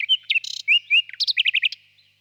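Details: Varied nightingale phrase packed into two seconds: a buzzy burst, two long clear slurred whistles, then a quick cascade of sharp repeated notes.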